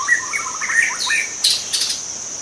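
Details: Young wild White-rumped shama in forest singing a quick run of clear whistled notes and a fast stuttering series of short notes, with a steady high insect drone and brief broadband bursts behind.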